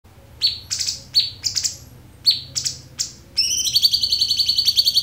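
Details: Cucak cungkok song in a clear training recording for songbirds: high sharp chirps that sweep down, several per second, then a steady buzzy high trill of quick repeated notes running without pause; a faint low hum underneath.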